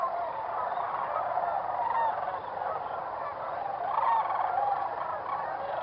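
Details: Whooping cranes at their roosting site in early morning around sunrise; soft honking calls rise over a steady murmur of many distant birds, with louder bursts near two and four seconds.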